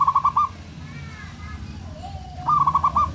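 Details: Local zebra dove champion singer provoking rivals: the tail of one stuttering coo phrase opens, then after two seconds of faint whistles and a rising note another rapid pulsed trill of coos follows.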